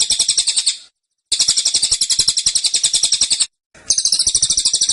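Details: Insistent high notes from a cililin in a cage, rapid tembakan bursts of evenly spaced pulses broken by two short silences.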